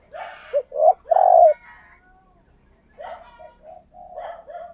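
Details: Decoy spotted dove calling other doves in: two brisk low notes, then a drawn-out, mellow coo, followed by a quieter, wavering series of softer coos.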